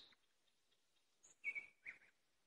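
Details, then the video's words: Nightingale trill fragment: a high thin whistle, a pause, then two short loud chattering phrases a fraction of a second apart, with a faint sustained tone in the background. "Соловьиные трели."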